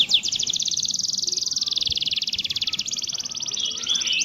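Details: Canary song for training other canaries to sing and roll: a long, fast, even trill held high for nearly three seconds, then a brief break and a second rapid trill.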